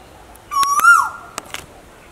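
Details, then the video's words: Asian koel, one loud whistled note that starts low and swoops upward, then holds steady before fading. A few sharp clicks and taps follow in an otherwise quiet background. "Asian Female Koel VS Male Koel, Sounds Of Koel"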